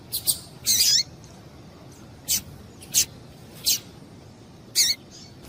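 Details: Female double-collared seedeater calling to get males singing: short, very high, sharp chips, a quick cluster at the start, then single notes spaced about every second.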